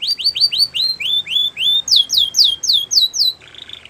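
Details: Belgian canary delivering upward-curving notes in a steady row, then about six louder sweeping downward notes, ending on a short buzzy burst.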